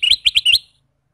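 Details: Ruby-throated bulbul, known locally as kutilang emas, singing; a short burst of four bright, slurred whistled notes, high-pitched and quick, lasting well under a second, with no other sounds around it.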